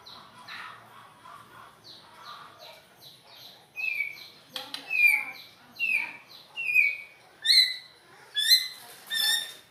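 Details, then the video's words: White-rumped shama with an unusual song: soft, faint twittering at first, then loud clear downslurred whistles repeated roughly every second, growing stronger toward the end. "Burung Murai Batu..Dengan Suara Aneh.."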